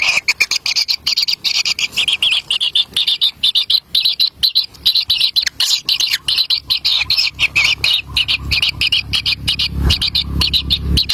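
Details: Young kingfishers fight over a black lizard their parent delivers to the nest; high, rasping begging notes in quick, chopped bursts run without stopping, with a low rumble rising near the end.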